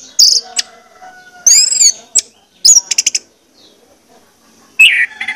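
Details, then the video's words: Orange-headed thrush song used as a lure to stir other birds into full song: scattered sharp high notes, a ringing arched whistle, a rapid burst of clicks and a final bright slurred phrase, separated by pauses. "pancingan anis merah ini bakalan bikin gacor jika di putarkan"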